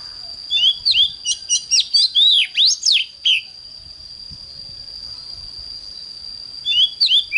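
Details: Oriental magpie-robin morning singing, a recording for training magpie-robins to sing strongly: a three-second string of sweeping whistled notes, a long pause, then a brief closing phrase, with a steady high tone beneath.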